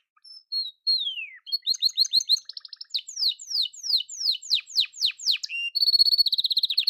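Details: Yellow canary singing: a long falling whistle, then rapid rolling trills and a run of steep downslurred notes repeated about three per second, ending in a fast buzzy high trill; no other sounds.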